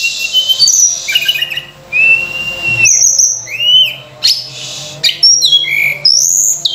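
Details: Sunda robin in full song with rich fill-in phrases, used as a lure for training other birds: clear whistled notes, some sliding down, others rising, broken by short buzzy bursts, with a faint low hum behind.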